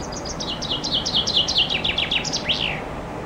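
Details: In summer, a chaffinch perched fairly high on a branch outside a window sings loudly: a bright, descending run of about fifteen quick notes that speeds up, then ends in a sharp flourish, over faint background hiss.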